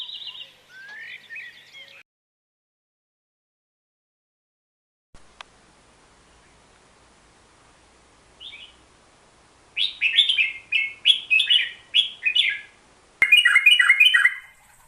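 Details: Hook-billed bulbul, locally called merbah jambul, singing: after a quiet stretch come bursts of short, bright, warbling phrases of rapid chirps, closely spaced, ending in a louder clipped phrase.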